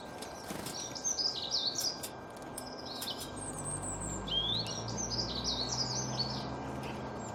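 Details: Songbirds singing: quick high twittering and chirping phrases in two bursts, one early and a longer one mid-clip. A steady electrical hum and low background noise run throughout.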